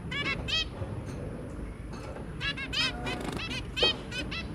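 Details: Zebra finch pair and their three babies, January 2022: paired nasal beeps at the start, a lull, then a quick series of stacked, honking calls, over low-level room noise.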